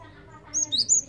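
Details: Java sparrow lure call: three or four brisk, high, ringing chirps follow a quiet start, with faint low noise underneath.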